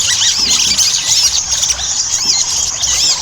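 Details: Ruby-cheeked sunbird song used to coax birds into singing: a short burst of thin, squeaky, overlapping chirps and looping high whistles, loud and continuous.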